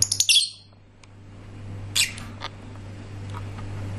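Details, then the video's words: Lovebirds singing: a harsh, high raspy squawk burst at the start, then quieter scratchy chirps around two seconds in, over a steady low electrical hum. "Love birds singing nicely"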